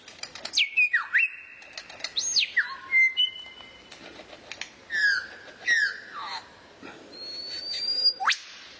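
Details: Rare songbird used as tutor material for training white-rumped shamas: loud clear whistles, some sliding downward, others held flat at high pitch, mixed with quick sharp chips and a long rising whistle near the end.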